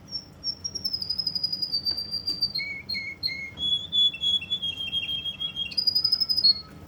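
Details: Russian canary from Kuwait singing clear whistled song: long high notes held around five kilo-range, then lower repeated short whistles, a steady rolling trill and a final high phrase, fairly clean background.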